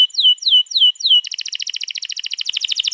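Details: Canary song recorded 21 April 2022, used to prompt canaries to sing: four descending whistled slurs, then a fast, evenly beating high roll that continues to the end.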